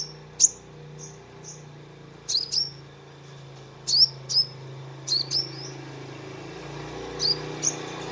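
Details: Sunbird song, a lure for calming a stressed caged bird: sparse, very high, thin chips and quick upslurred notes, mostly in pairs every second or so, over a low hum.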